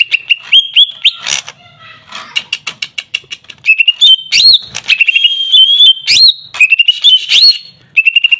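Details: Greater green leafbird song of clear whistled notes, some steady and some upslurred, broken by harsh rattling ticks and short gaps.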